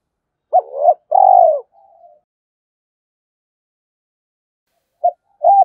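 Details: Spotted dove kept as a fighting decoy: one phrase of a rising hooked note and a loud falling coo, then soft trailing murmurs and a long pause before the phrase starts again.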